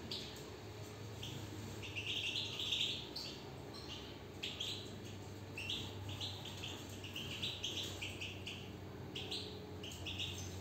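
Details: Caged European goldfinch singing: scattered bright twittering notes and short trills in bursts, separated by brief pauses, over a steady low hum.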